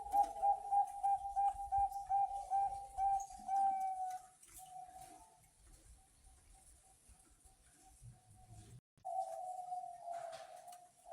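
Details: Zebra dove of Bangkok stock, a big-voiced caged bird used to lure other doves into singing; rapid string of clipped coos, quieter level coos, then a long smooth cooing note.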